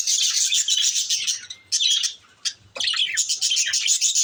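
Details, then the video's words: Lovebirds chattering in dense, high, rapid chirps and squeaks, breaking off briefly twice before resuming in a continuous busy stream. "love bird's"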